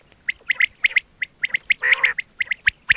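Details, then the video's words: Quail sound for hunting: quick, clipped chattering notes follow one another steadily, singly and in pairs, with one longer harsh, buzzy burst in the middle. "quail 2024 Fresh sound Batair Ki awaz"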